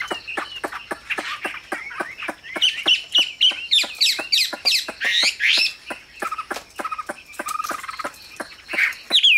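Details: Hwamei kept in a cage giving quick, scratchy, chattering whistles and squawky phrases over steady rapid clicking, with a short high whistle at the very end.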